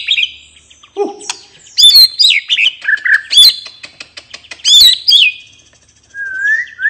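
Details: White-rumped shama singing relaxed open song to spur other birds into song: high sweeping whistles and sharp chirp clusters in bursts, closing with a long rising whistle.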